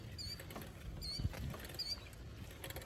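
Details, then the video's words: Killdeer giving three high, thin whistled notes about a second apart, each sliding up then down, heard on a pleasant evening bike ride past soybean fields, over low rumbling wind and bicycle noise. "You can hear the killdeer. That's what those birds are called."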